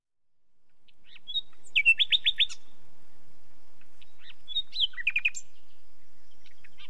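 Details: Nightingale song: two short phrases, each opening with thin high notes and then a rapid series of five or six loud, clipped repeated notes, separated by about three seconds of near silence.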